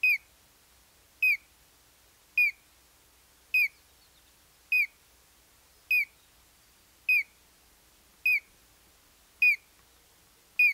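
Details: Repeated call of a Collared crescentchest: clean, short whistled notes with a slight downward slide, given steadily about once every 1.2 seconds, nine times in a row, over a quiet background.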